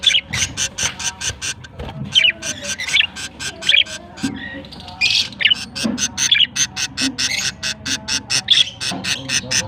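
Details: Rapid scratchy chirping from baby budgerigars, September 22, 2023, with bursts repeated several times a second, a short pause near the middle, and occasional lower thumps beneath the calls.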